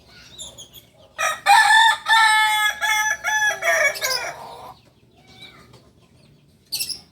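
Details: Kokok Balenggek rooster, a village chicken breed native to Solok, West Sumatra, Indonesia, kept for its multi-tiered crowing of up to 19 tiers; a long harmonic crow broken into about seven stepped segments over three seconds, then quiet.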